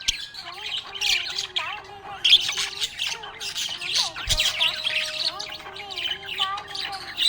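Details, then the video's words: Happy budgies chirping: dense, busy twittering and scratchy chatter with quick squawks throughout, over softer sliding melodic tones in the background. "Happy budgie chirping sound"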